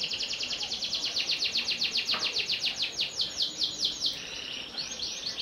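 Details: Panda canary, no cage bars, singing a long fast series of high chirped notes that slow into louder spaced sweeps, ending in a soft buzz.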